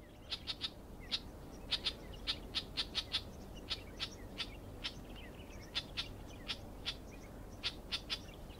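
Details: Clamorous reed warbler at Stewartgunj, Andaman, giving harsh, dry chack notes, two or three a second at an uneven pace, over a steady low background hum.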